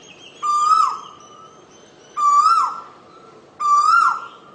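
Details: Asian koel giving three strong, upslurred whistles with rich overtones, spaced about one and a half seconds apart, while a thin high note from another bird runs in the background.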